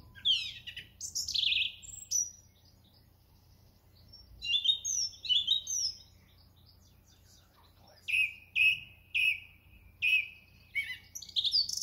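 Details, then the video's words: Song thrush at Thoralby, 2 June 2020, moving through its repertoire: bright twittering and whistled phrases, then one sharp phrase repeated four times at steady intervals, each a rising then falling whistle, over a faint low hum. "Song thrush"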